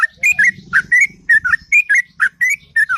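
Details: Sooty-headed bulbul singing melodiously in the morning, quick slurred whistles in a continuous run, with a soft low rumbling noise underneath.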